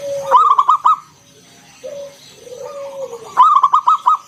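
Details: Zebra dove, a local bird with a strong voice, giving ngalun 'kung bulat' coos to prompt other doves to sing: two loud rippling runs of five quick coos separated by soft low sliding notes.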